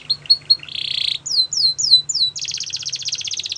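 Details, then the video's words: Canary song used for training, with quick chips and a dense buzzy tour, a series of four falling whistles, then a rapid pulsing trill, a faint hum underneath. "Canary's Most Powerful Song For Training"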